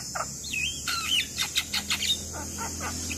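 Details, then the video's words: Lively black-winged myna singing for training young mynas that are slow to sing: a short run of sliding whistles and scratchy broadband notes in quick succession, with a constant high-pitched background hiss. "Jalak Kebo Gacor Masteran Pas Buat Jalak Muda Malas Bunyi"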